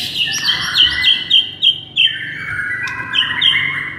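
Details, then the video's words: White-rumped shama song from a masteran meant to rouse a listless bird to fury. High whistled notes repeat in quick succession, some with sharp downward flicks, over a lower sustained tone, with loud bursts spaced unevenly. "MASTERAN EFEKTIF untuk Pikat Murai LOYO seketika langsung NGAMUK"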